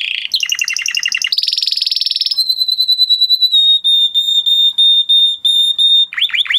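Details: Male canary singing: a rapid trilled phrase, then a fast buzzy roll, then a long steady whistled note pulsing for several seconds, ending in quick downward-sweeping chirps.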